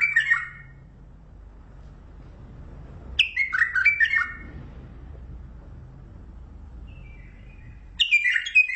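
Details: Lisanat song of a Mandali bulbul: short bursts of bright, warbled whistles falling in pitch, repeated roughly every three to five seconds with quiet gaps between.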